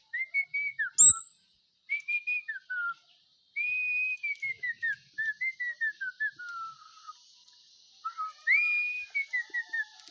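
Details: A pet bird sings clear whistled phrases of short, mostly falling slurred notes, grouped in bursts with brief pauses between, plus one sharp high click early on.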